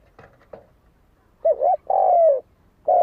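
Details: Spotted dove call, used as a lure to provoke fighting: after faint taps, a quavering short coo and a long, steady coo drooping slightly at its end, then the start of the next coo.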